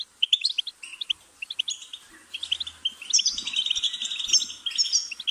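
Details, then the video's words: Goldfinch song of twittering notes that shifts into a denser, buzzier run of high trills in the second half, with faint low rumbles beneath. "Goldfinch's Singing"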